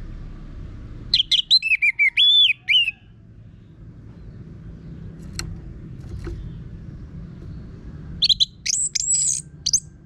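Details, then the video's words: Orange-headed thrush in full song with a coarse voice, used as a lure to get other birds singing: two bursts of rich, varied, high whistled phrases separated by a quiet pause with low background rumble. "Pancingan ANIS MERAH Gacor Suara Kasar"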